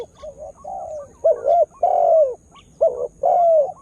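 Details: Spotted dove calling as a lure for wild birds, just beginning to sing keenly: soft low coos building to louder paired notes, each followed by a long, slightly falling moan, repeated twice.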